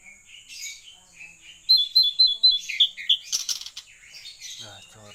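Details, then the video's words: Blue-eared kingfisher (tledekan laut) singing energetically: quiet warbling leads into a run of about eight crisp, high, evenly spaced whistled notes, then scratchy buzzing and soft twitters, with a faint low voice at the end. "Burung tledekan laut gacor nih"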